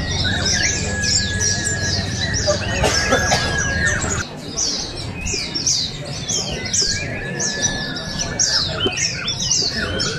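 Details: Oriental white-eyes singing at an open bird song and style contest in Balingian, Sarawak, 2023; many overlapping high, thin chirps and quick downslurred twitters, a steady whistled tone and low crowd murmur early, with faint music.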